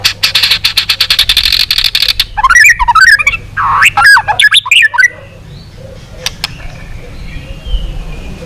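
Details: White-rumped shama trained for a long song to excite rival shamas. A rapid series of dry clicking notes lasts about two seconds, then a rich run of looping, slurred whistles follows and fades into quiet background hum.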